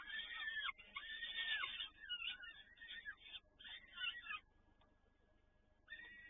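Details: Peregrine falcon, Toruń, 7 May 2019, late afternoon, both parents feeding: rasping wailing calls in several uneven bursts, then a quiet stretch before calling resumes.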